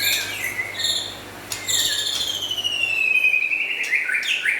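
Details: Lively local and forest white-rumped shama: short high notes, then a long thin whistle slowly gliding downward, ending in brighter chirps.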